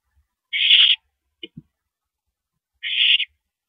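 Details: Owl recorded at a mouse delivery, 13 April 2012 at 9:17 PM: two raspy hissing screeches a couple of seconds apart with brief soft clicks between.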